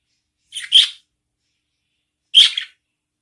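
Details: Two loud, harsh budgerigar chick squeaks from newborn young being fed by their mother, each a rasping chirp about a quarter second long, separated by silence.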